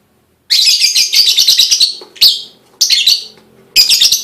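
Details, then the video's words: Lovebird sound meant to prompt other lovebirds into song: a long raspy, pulsing buzzy trill, then shorter harsh bursts separated by brief pauses. "full bunyi pancingan love bird"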